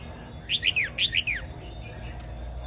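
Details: A Vietnamese red-whiskered bulbul delivers the doubled 'bernle' song meant for teaching chicks and rousing birds: two crisp triplets of sliding-down whistles, then quiet with faint low background noise.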